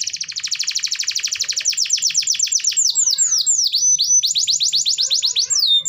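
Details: Energetic canary singing, played to stimulate canaries that are slow to sing; a dense rapid buzzing trill opens, shifting into slower, falling sweeps and a closing run of quick trilled notes.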